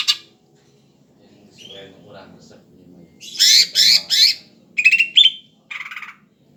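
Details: Greater green leafbird singing actively, soft chatter building into three harsh buzzy bursts, then quick whistled phrases and a final rasping note, with quiet low background murmur.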